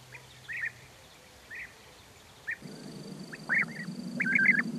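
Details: European bee-eater giving short, rolling, slightly arched calls, scattered singly at first and then in a quicker run of trilled notes. The background noise shifts partway through to a steadier low rumble and a faint high hum.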